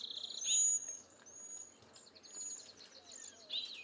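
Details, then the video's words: Cedar Waxwing: high, thin, drawn-out whistles. A louder, lower buzzy bird call opens the passage and returns at the close, and a soft rapid ticking run is heard midway. "Cedar Waxwing Bird Song"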